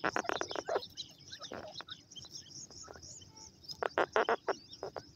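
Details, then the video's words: Grey francolin (Dakhni Teetar) adults with chicks: a burst of rapid clucking notes, then scattered soft chirps and high thin peeps, and a second quick run of loud clucks near the end. "Dakhni Teetar Awaaz with,BabyPartridge Fun Sound"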